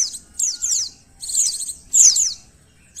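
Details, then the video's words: Pleci, or white-eye, recorded in Indonesia for a test of emotion and arousal: clusters of two or three high, steeply falling chirps separated by pauses of about half a second. "Tes Mental Pleci Terbaru, 9 Level Tes Emosi & Birahi Pleci Sampai Buka Paruh"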